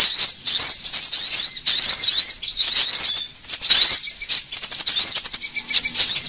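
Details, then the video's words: Sunbird sound used for luring birds: repeated shrill arched squeaks and rapid high twittering in lively bursts separated by short gaps, very high and thin throughout. "SUARA PIKAT KOLIBRI AMPUH"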